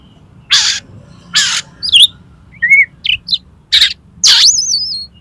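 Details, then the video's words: Oriental magpie-robin (kacer) song, used as tutoring and prompting audio for contest birds; loud harsh broadband bursts alternating with short clear whistled slurs, ending in a wavering high whistle, over a faint low hum. "SUARA KACER INI COCOK UNTUK MASTERAN DAN PANCINGAN KACER LOMBA AGAR MAU BUKA PARUH"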